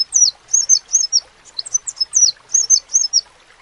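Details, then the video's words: Crimson sunbird singing: a fast series of very high, thin, sharply downslurred notes at about five to seven per second, given in short bursts with brief pauses. "SEPAH RAJA TERNYATA MEMPUNYAI KELEBIHAN DARI SEGI SUARA NYA YANG KHAS"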